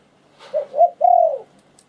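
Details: Spotted dove song in the Thai 'liw tan' style: two brief mellow coos followed by one longer, steady, hollow coo, in a quiet setting.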